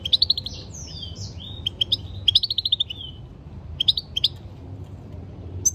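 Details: European goldfinch singing a stimulating song. Bright, tinkling twitters and rapid chirp runs alternate with short slurred whistles. The phrases come in quick bursts over a quiet low hum.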